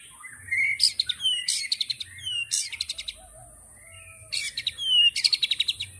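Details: White-rumped shama delivering 'tembakan' bursts: short rising whistles, each followed by a crisp rattling trill. The phrase repeats after a quiet pause with a faint low warble.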